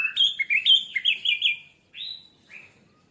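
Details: Orange-headed thrush song used as a lure to make other birds start singing quickly: a rapid run of bright, warbled high phrases for about 1.7 seconds, then two short separate whistled notes after a pause.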